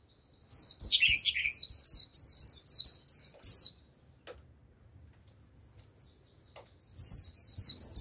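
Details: White-eye singing as a lure for a wild flock, a long run of rapid, very high warbled notes with a lower chattering phrase mixed in, then thin soft trills, and a fresh burst of warbling near the end.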